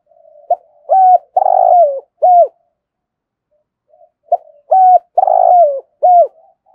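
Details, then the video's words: Spotted dove giving thúc gù coos: two near-identical phrases, each a soft lead-in, two crisp hoots, a long husky falling coo and a final hoot, repeated after a short pause in quiet surroundings. "cu gáy thúc gù"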